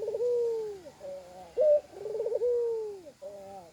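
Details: Spotted dove with a strange call containing added koak sounds: a long descending coo, a sharp upslurred note, then a rolling trill running into another sustained falling coo.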